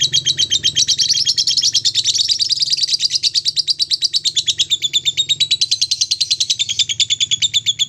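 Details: Lovebird singing a long 'ngekek' run, used to stimulate other lovebirds: a sustained, high, rapidly pulsed chattering trill of sharp repeated notes that keeps going for the whole stretch with steady loudness and a quiet low hum behind.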